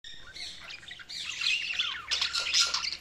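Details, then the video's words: Budgerigars chirping: dense overlapping warbled chatter and squawky notes, rising and falling quickly, louder bursts toward the end, with a low steady hum underneath. "Budgies Sounds| Budgies Chirping sound"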